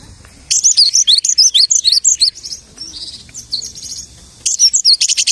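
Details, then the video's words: Lark mimicking the songs of other birds: rapid high chirped notes in quick bursts, a quieter softer middle passage of scratchy twitters, then a fresh burst of fast bright chirps. "The lark imitates the singing of hundreds of birds."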